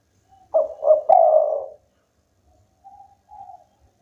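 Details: Spotted dove, local type, singing hard: two short coos run into a long, throaty drawn coo, followed by two faint, distant answering coos.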